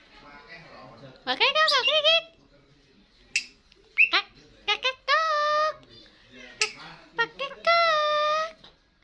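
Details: Starling singing vigorously: loud nasal harmonic notes with wavering, bending pitch, sharp upward-sweeping whistles, brief clicks, and long steady buzzy tones held about a second, in bursts separated by quiet gaps.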